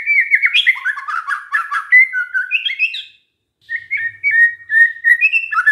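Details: White-rumped shama song used as a lure to make other shamas answer: a rapid run of varied whistled notes, slurred and warbled, then a brief pause and a steadier string of clear whistles that rise at the end.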